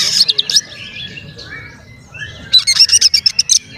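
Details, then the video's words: Oriental magpie-robin lure song for provoking other magpie-robins: high chips and quiet warbling, a near-silent gap, then a rapid run of sharp, high clicking notes. "SUARA BURUNG KACER GACOR ngeplay santai MANGGIL kacer auto KONSLET buka ekor TERAPI KACER agar EMOSI"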